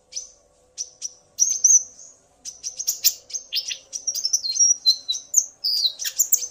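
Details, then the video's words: Common iora male singing in response to a female's call, the two calling back and forth. Sparse sharp chips open, then build into a rapid stream of high ticks, whistles and slurred notes, growing busier toward the end. "Burung Konin Pancingan EMOSI agar burung bahan gacor"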